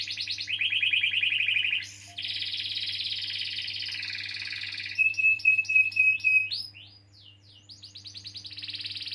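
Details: Long rolling canary song used to encourage young canaries or birds that have stopped singing. Buzzy trills give way to a broad, harsh rolled passage, then a pure steady tone with chips, scattered sweeps, and a soft trill, over a constant hum.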